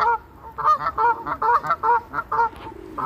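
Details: Canada goose causing havoc: a rapid series of about nine loud nasal honks, each short and harsh, coming roughly every third of a second, close and clear.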